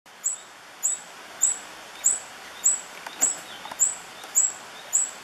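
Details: Tawny-bellied hermit (Phaethornis syrmatophorus) at La Romera reserve, Sabaneta, Antioquia, Colombia, 2013, giving a very high, thin squeak repeated steadily almost twice a second, over a soft background hiss.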